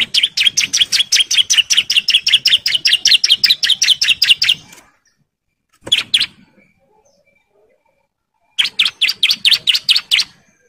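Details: Breeding male bar-winged prinia calling females with a fast run of loud, evenly spaced chirps for almost five seconds, then a short burst and another rapid series after silence.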